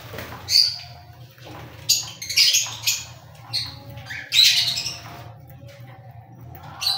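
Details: Cockatiel squawks, harsh and rasping, coming irregularly every second or so across several seconds, with a low hum in the background.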